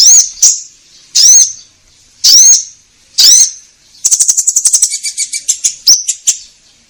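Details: Orange-headed thrush, used to prompt caged birds to sing: four loud rising whistles about a second apart, then a fast chattering run of rapid high notes fading at the end.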